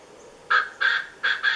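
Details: A male Koklass pheasant, foraging, gives four harsh, grating notes in two quick pairs, each rough and nasal, over a quiet background.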